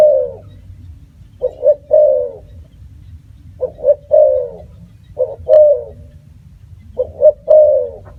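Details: Cooing of a spotted dove: short double notes then a longer falling coo, phrase repeated about every two seconds, five times, over a soft low rumble.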